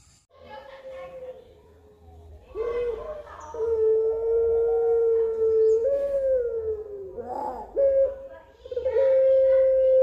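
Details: Puter pelung dove singing, one of nine pelung song characters: long sustained hooting coos held at a steady pitch, some slurring downward and then rising again, with short breaks between phrases and a low background hum.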